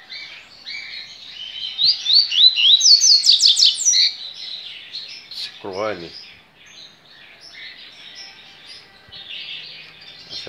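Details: Caged yellow-bellied seedeater at a Brazilian breeder, 23 November 2019, delivers a quick burst of ringing rising whistles and chirps; a brief low wavering sound intrudes midway, followed by quieter twittering notes.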